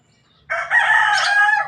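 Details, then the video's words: Javan myna said to be talking until it coughs: a loud, harsh, raspy burst lasting just over a second, rising in strength midway, with a low steady hum underneath. "burung jalak kebo ngomong sampai batuk"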